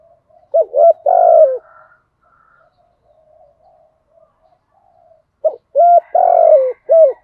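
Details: Spotted dove cooing in the 'giọng thổ' voice style, used to stir wild doves into cooing; low mellow phrases of two clipped coos, a long slightly falling coo, then a short final coo, heard twice with quiet soft murmurs between.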